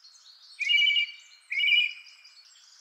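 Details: Song Thrush singing slowly with long pauses, repeating notes two or three times, the repetitions that identify the species. Two clear whistled phrases, each a steady buzzy-edged note, given twice about a second apart in a quiet setting.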